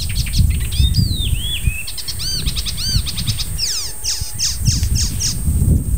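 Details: Icterine warbler in early July song, known for mimicking other birds: varied phrases of slurred swooping whistles, arched notes repeated twice, a sweeping downward series, then sharp spaced chips; low rumbling background and steady high whine.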